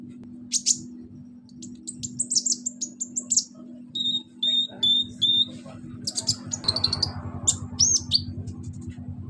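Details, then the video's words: Sunbird (kolibri ninja) whose song is loaded with cililin, cricket, golden grasshopper and chick imitations; shrill high chirps and a series of clear whistled upslurred notes over a steady low electrical hum. "KONIN BANYAK ISIAN CILILIN, JANGKRIK, BELALANG EMAS, ANAK AYAM"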